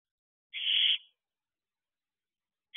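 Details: Owlet in a nest box at 4:10 am on 10 July 2023, week 13, amid territorial behaviour near dispersal: one loud, harsh hissing screech lasting about half a second, then silence until a second screech begins.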